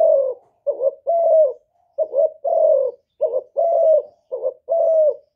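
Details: Decoy spotted dove from Cà Mau, Vietnam, cooing to draw in wild doves: soft, low hooted phrases, each a quick rising note then a drawn-out level coo, repeated four times in close succession in a quiet setting.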